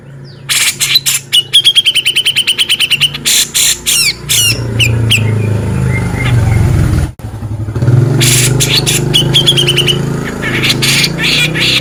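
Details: Male cucak jenggot (Grey-cheeked Bulbul) in full 'beset ngepik' song for contest-bird training: a fast run of clipped high notes, harsh buzzy bursts, then more trills, with a vehicle engine droning loudly beneath.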